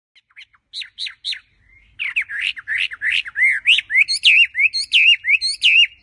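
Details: Chinese hwamei (Garrulax canorus), song: luring or stimulating other hwameis.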